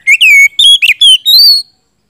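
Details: Oriental magpie-robin song used as a lure to provoke silent birds into singing, in the loud style called gacor ngeplong. Several loud, clear whistled phrases with sliding and rising notes follow each other with short gaps, ending in a long upward-climbing whistle.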